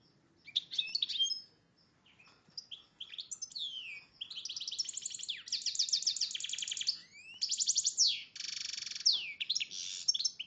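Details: A breeding-ready male goldfinch × red agate canary hybrid sings a long, varied, high song of rapid trills, buzzy rolls and quick twittering phrases, almost without pause. No other sounds stand out.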